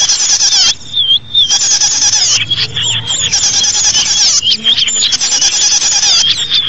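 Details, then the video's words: Bird song used to lure small birds: dense, loud, high-pitched twittering with rapid trills and whistled notes, almost continuous, with brief breaks near one and four seconds. "SUARA BURUNG UNTUK PIKAT BURUNG KECIL"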